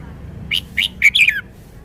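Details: Red-whiskered bulbul from Thailand displaying its repertoire of song phrases. It gives four clear, bright notes, with the final pair run together into a warbled, falling flourish. The background is quiet.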